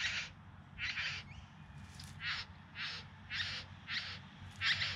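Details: Bowerbird courtship display recorded in September 2020, Yarra Valley near Melbourne: about eight rough, wheezy, scratchy bursts repeated every half second or so, with a brief thin upslurred note early on and low background rumble.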